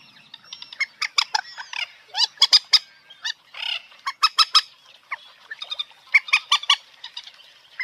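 Common moorhen giving harsh, sharp clucks and cackling notes in uneven bursts, some quick doubled or tripled, with brief pauses between runs.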